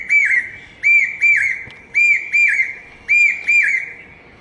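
Common hawk-cuckoo giving loud, shrill whistled notes, each rising then slurring down, in quick pairs and triplets about once a second over a faint background hiss.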